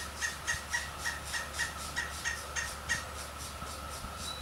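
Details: Pileated woodpecker chicks give begging calls: short, buzzy notes in a rapid, uneven series of about four per second, over a steady background hum.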